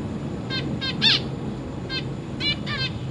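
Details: Caged zebra finch family, adults feeding chicks and fledglings exploring a new big cage, 22 August 2023: a burst of nasal beeps, one louder and longer in the middle, then more beeps in quick succession.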